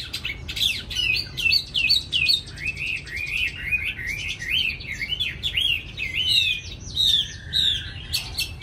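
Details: Chinese hwamei, a young caged bird described as singing eagerly, delivers a rich, continuous song of rapid slurred whistles, rising and falling phrases and brief buzzy notes, tumbling along without pause.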